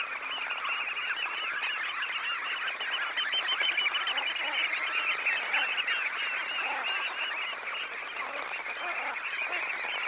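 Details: Huge flock of about 20,000 red knots leaving a high tide roost, close up: countless short calls merge into a continuous chattering roar, swelling slightly mid-way then easing.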